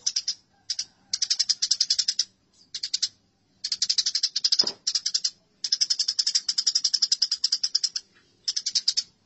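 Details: House sparrows in a fight, a masteran recording: choppy bursts of rapid, scratchy chirps of varying length, plus one low thump midway.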